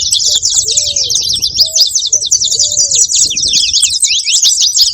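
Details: Steady, busy twittering of saffron finches, many sharp high chirps running together without pause, while several soft, lower arched whistles sound between one and three seconds.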